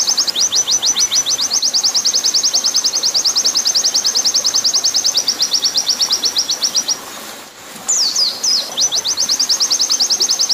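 Oriental white-eye singing a long, fast stream of thin, high chirping notes, pausing briefly once before resuming, over a soft watery hiss.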